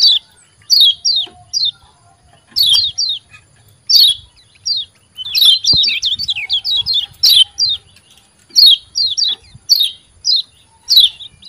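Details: Yellow white-eye ciak ciak calls for training silent caged birds: short high downward chirps given singly or in quick pairs and clusters, repeated every second or so, with faint background hum.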